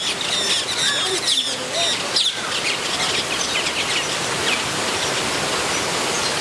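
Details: Metallic starlings nesting in an aviary at San Diego Zoo: a busy chorus of overlapping high, squeaky chirps and short nasal whistles from many birds at once, with a steady hiss of background noise.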